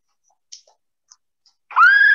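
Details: Eurasian curlew song in Montgomeryshire, which tells other curlews one is present: a rich, rising whistled note swelling upward before cutting off, after a few faint clicks in otherwise quiet surroundings.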